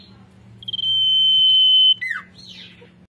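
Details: Actively singing common iora, called cipoh, sirtu or sirdung locally, gives a long steady pure whistle of over a second, then a quick downward-slurred note and a softer rising-falling whistle, with a low hum underneath.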